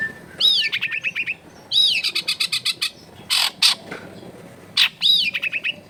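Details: Long-tailed shrike in clear, rich song: an arching whistle followed by a quick series of short buzzy notes, repeated three times, broken by two harsh rasping bursts in the middle.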